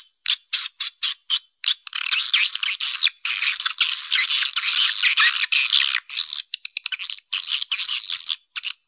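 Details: Swiftlet attraction call, "Black Panther" style, for the central area of a nesting building: a few separate sharp chirps, then a long continuous shrill buzzy twitter, then scattered chirps again, all high-pitched with no other sounds.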